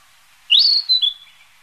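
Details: A Narcissus flycatcher (Ficedula narcissina), a passage migrant pausing briefly, gives one clear, high whistle that sweeps up and slowly slides down, then a brief softer note; otherwise quiet.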